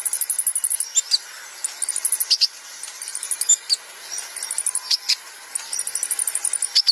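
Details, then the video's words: Sunbird, called kolibri ninja locally, singing in a recording used to train other birds to sing: very high, thin, rapid trills and sharp chips in quick bursts with brief pauses, clean and free of other sounds. "Masteran Hadal Kolibri Ninja | Pancingan Konin"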